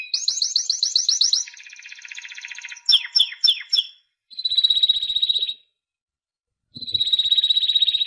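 A Timbrado canary sings a varied song: a fast metallic trill, a buzzy low rattle, sharp chirped notes, then long rolling high trills.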